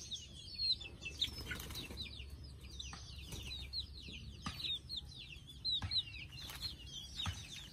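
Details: Chicks settling down to sleep give a steady stream of thin, high, downward-slurred peeps. The peeps overlap constantly, with soft rustling and wing flutters beneath them.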